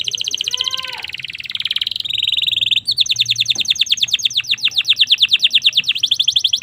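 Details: Domestic canary, song used to train and provoke young canaries: continuous fast rolling trills of crisp repeated notes, the pace shifting between phrases over nearly seven seconds.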